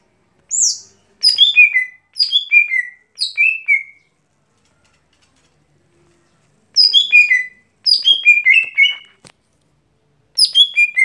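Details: A lesser green leafbird, known as gotri, sings its daily song: short cascading whistle phrases falling in pitch, several in a row, a silent gap of about three seconds, then more bursts.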